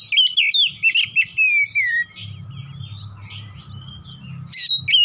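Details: Oriental magpie-robin in 'gacor nembak-nembak' song: a fast opening run of warbled whistles ending in a downslur, then quieter twitters over a droning low hum, and a final loud whistle.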